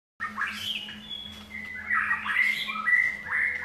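White-rumped shama singing a run of rich, varied whistles with sliding and squawky notes at a lively pace, over a steady low hum.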